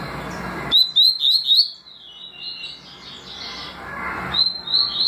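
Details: Double-collared seedeater song in the tui tui and deputado styles: four ringing rising whistles in rapid series, a softer warbled stretch, then another run of three upward whistles.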